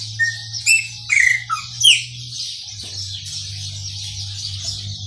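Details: Chopi blackbird singing in the maranhãozinho style: a few clear whistled notes and short slurred phrases in the first two seconds, then only steady high hiss and a low hum.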